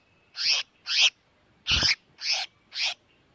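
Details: Five loud, grating, hissy screeches from a tiểu mi đất bird in distress, used as a trapping lure, spaced roughly half a second apart.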